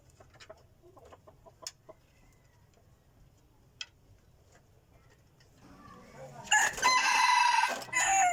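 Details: After several quiet seconds with faint clicks, a decoy rooster praised for its crowing bursts into a loud hoarse crow with a long held note and a falling end.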